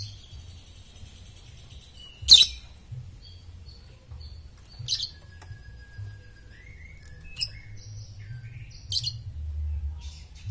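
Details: Oriental magpie-robin in top form, recorded as training song for other birds; sparse sharp high chirps and clicks separated by pauses, with one long steady whistle held for about a second midway, over a low background hum.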